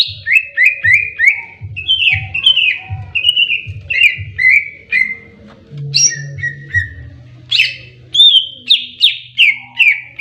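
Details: Fighting greater green leafbird delivering loud repeated downslurred whistles at a brisk regular pace, broken by higher sharp notes and chatters, accompanied by a low droning hum.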